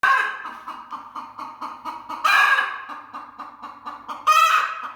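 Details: Aggressive broody hen protecting her eggs: a steady run of low, throaty growling clucks about five per second, broken twice by loud, harsh, screeching squawks.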